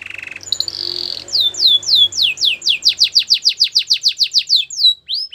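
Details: Belgian canary training song over a faint noisy background: a short buzzy phrase, then a long series of clear, loud downward-sweeping whistles about three per second.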